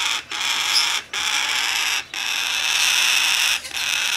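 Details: A domestically bred, hand-tame blue-eyed cockatoo chick in Japan, 14 September 2019, gives a harsh, hissing rasp, held for about a second at a time with brief breaths between, over a quiet room.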